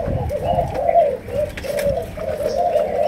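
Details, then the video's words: Malaysian spotted dove singing in the chiêu gù style with a sấm đồng voice: low, rolling coos in a continuous run of rounded phrases, with faint higher chirps from other birds. "Cu Gáy Malaysia, Chiêu Gù. Sấm Đồng"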